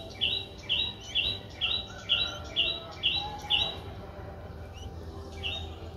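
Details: Four-day-old Streak-eared Bulbul nestling in Ubon Ratchathani, Thailand, 6 April 2023: a run of eight short, high, sharp chirps repeated about twice a second, then a pause and one softer chirp, over low background hum.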